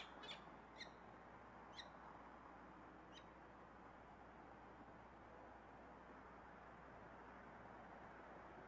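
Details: Peregrine falcons at a nest cliff as the male drops in on the female to mate: four short, harsh, grating notes in the first three seconds, then quiet over a steady roar of wind or distant traffic.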